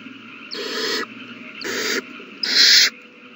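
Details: Owlets begging during feeding on March 27, 2020: three rough hissing screeches about half a second each, the last louder and harsher, separated by short quiet gaps with a faint hum.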